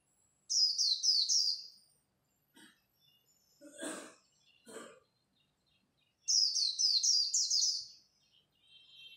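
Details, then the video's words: Japanese white-eye in khuyên líu song, competing at dawn: two bursts of rapid, high, descending twitter notes. Some short broadband knocks and rustles come between them. "Khuyên líu đấu lúc bình minh, kích bổi mau nổi!"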